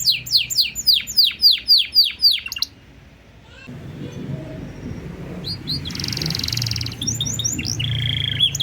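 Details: Canary master song, cengkok style, for triggering other birds: evenly repeated downslurred whistles for over two seconds, a quiet gap, then a buzzy burst and a trill.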